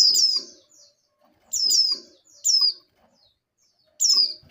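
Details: Female oriental white-eye, breeding condition, calling for a male: four loud, high chirps sweeping downward, each followed by a softer trailing note, separated by clear pauses.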